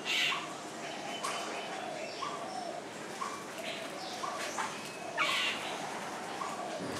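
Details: At Vogelpark Walsrode, Germany, a Eurasian hoopoe gives soft hollow hoots about once a second, low and even, over a busy background of other birds' high chirps and general noise.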